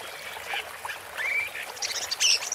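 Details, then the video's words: ['Woodchat shrike singing: a short, faint phrase with a rising whistled slur and scratchy high chatter in the second half.'] "Woodchat Strike (Lanius Senator) Bird Song"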